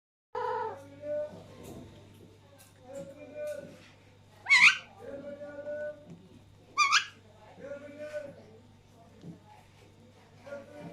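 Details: Three Alexandrine parakeets, two sharing food while the third laughs: low, throaty, laugh-like bursts recur every couple of seconds, with two sharp, rising screeches near the middle.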